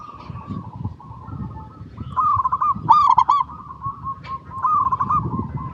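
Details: Song of a local zebra dove, played to draw other zebra doves into song: mostly soft, steady cooing tones, broken midway by a loud burst of rapid, bright, rolling notes, then more fluttering coos, with low background rumble.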